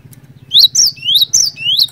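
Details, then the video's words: Cinereous tit in full, energetic voice, sung to make other tits join in. Five or six drawn-out whistles swing upward and fall away at the tips, with a constant low hum behind. "PANCINGAN BURUNG GLATIK BATU GACOR INI ASLI BIKIN GLATIK BATU LAIN LANGSUNG IKUT BUNYI"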